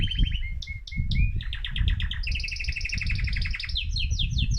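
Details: Excited male mosaic canary in full song meant to stimulate other birds: short whistled notes give way to rapid rolling trills and repeated falling phrases, over steady low hum.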